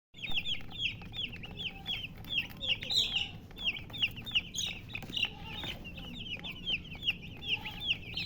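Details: Chicks kept with a colored hen, giving a steady stream of high, thin, downslurred peeps, many overlapping and repeated several times a second, over a low background rumble.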